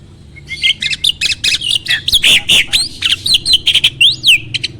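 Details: Starling singing to provoke other birds: rapid, varied chattering with harsh broadband notes and sweeping whistles, ending in a sharp rising and falling whistle.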